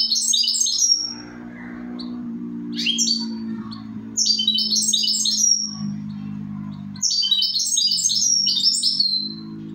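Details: Repeated bursts of quick, high, jangling goldfinch notes, roughly every two to three seconds, over a steady low musical hum running throughout.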